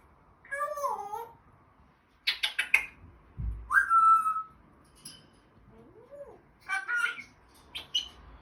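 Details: Pet African grey parrot, said to swear, producing a varied string of sounds: a wavering falling whistle, clipped chattering notes, a steady level whistle, a short rising whistle and more brief chirps, with a low thump midway.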